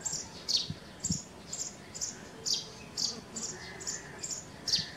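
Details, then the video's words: Natural sparrow sounds, a string of brief high chirps about two per second, slightly uneven in loudness, with steady background hiss. "Sparrow bird sounds of chirping | chidiya ki awaaz"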